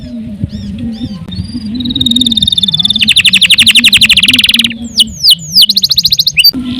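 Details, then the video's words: Canary song in gacor style that starts soft over a low background hum, swells into a long flat whistle and an accelerating rattling trill, then sweeping whistled notes and pulsed bursts. "CANARY GACOR PANJANG UNTUK MASTERAN LANGSUNG NYAUT"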